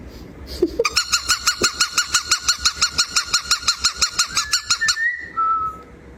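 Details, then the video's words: Pet cockatiel giving a fast, loud, evenly spaced series of about twenty harsh nasal notes, then a short whistled slide at the end. "Cute Singing Moments"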